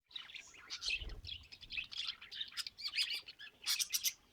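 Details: Pet budgerigars chirping in a busy, continuous chatter of short warbled notes and clicks, mostly high-pitched, with a brief low thump near the middle.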